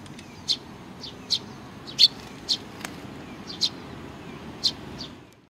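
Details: Sparrows including a chick, 3 July 2019: sparse, sharp high chirps about every half to one second, with a single brief click in between.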